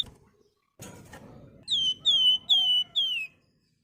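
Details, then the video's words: Flamboyan song, used to spur other birds to sing: four clear, ringing, downslurred whistles given in an even series after a faint rustle. "BURUNG FLAMBOYAN GACOR NYIUL, NYULING CRECETAN"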